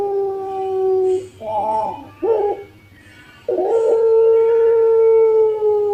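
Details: Contest-grade collared dove of the pelung type, recorded as a master track to prompt other birds to coo: a low steady tone, short throaty stuttering notes, then a long drawn-out mellow coo held for over two seconds.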